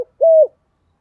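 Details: Spotted dove used as a decoy bird, cooing in the Thổ voice style to lure wild doves in; a single smooth, steady low coo lasting about a quarter second, preceded by a brief click.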